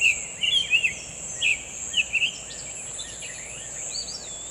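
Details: Summer tanager singing in the wild: short, clear warbled phrases of a few quick notes in the first two and a half seconds, then fainter scattered notes, over a constant high, thin insect buzz.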